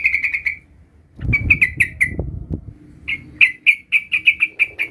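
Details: Young sooty-headed bulbul, still learning its rolling ngerol song, answering another bulbul: bright chirped notes repeated rapidly in short bursts, with a low rumbling handling noise in the pause between bursts.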